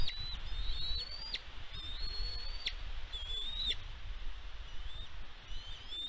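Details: On a Catalina Island nest in California, USA, filmed by a nest cam on 16 May 2022, a bald eagle calls. Long thin rising whistles end in abrupt downward flicks, followed by shorter squeaky notes, with low wind noise underneath.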